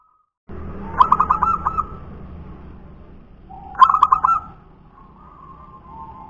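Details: Local wild-type zebra dove (perkutut lokal), called a punden bird, cooing: two bursts of rapid stuttering notes followed by a sustained coo, about three seconds apart, over low steady background hum.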